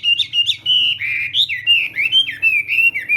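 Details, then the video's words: Chinese hwamei singing in the morning for voice practice in the contest style: a continuous run of loud, clear whistled notes, slurring up and down and linked into rolling phrases with barely a pause. "Hoạ Mi Hót Đấu /hoạ mi hót sáng luyện giọng"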